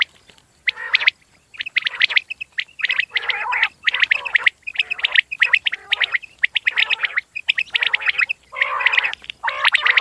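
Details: Common quail calling, with rapid bursts of sharp, chirpy notes over a rough, gargling rattle. The bursts come in quick succession with short silent gaps between them, filling the whole stretch.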